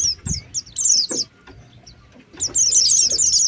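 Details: Oriental white-eye sound used for luring birds: high thin descending chirps and short whistled notes in quick bursts, a pause, then a dense run of bright high twittering.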